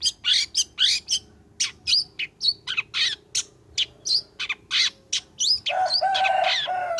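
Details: Long-tailed shrike in song after moulting, a lure for others to sing: a rapid chain of high, sharp and warbled notes, ending in a long, harsh, grating chatter.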